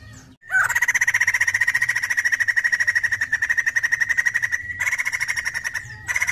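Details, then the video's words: Lure song of an actively singing white-crested laughingthrush: a long, unbroken, very fast rattling trill on one pitch for about four seconds, a short gap, then the trill resumes. "PANCINGAN BUNYI POKSAY JAMBUL GACOR"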